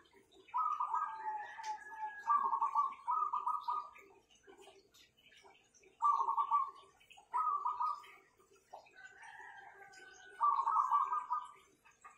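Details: Owned zebra doves noted for powerful singing give repeated trilled coo phrases in pairs, each about a second long and vibrating at a steady pitch, with quiet gaps between groups and light ticking behind.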